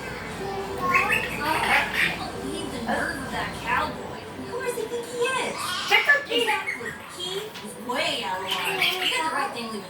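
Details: A monk (quaker) parakeet at Halloween chatters in speech-like phrases, saying "trick or treat," broken by harsh, raspy squawks.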